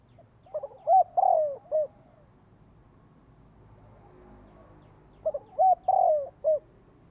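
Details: Decoy spotted dove calling to lure wild doves and prompt kept birds to coo in reply: two separate phrases of quick soft notes rising into one louder drawn-out coo, then a final short note, with a quiet gap between.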